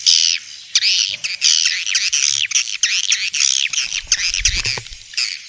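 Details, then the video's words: Swiftlet calls from Vietnam, played to draw swiftlets into bird houses: many overlapping scratchy, buzzy chirps in quick irregular succession, with a brief low thump near the end. "Tiếng chim yến kêu đã được chứng minh ||Tiếng chim yến kêu từ Việt Nam"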